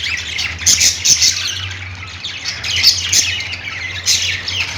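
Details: Budgerigars chirping: bursts of harsh, scratchy chatter and squawks, several close together, broken by short quiet gaps, with a steady low hum beneath.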